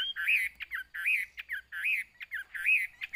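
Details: A captive Chinese hwamei gives loud, rich whistled phrases that rise and fall, repeated about every second, with short sharp notes between them; an indoor room tone underneath.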